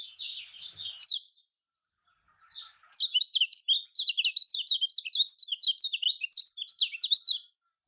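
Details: Lemon-bellied white-eye (kecial kuning), Lombok type, played as a lure to prompt quiet birds to sing: a short burst of high twitters, a pause, then a long, dense, rapid run of sharp chattering notes.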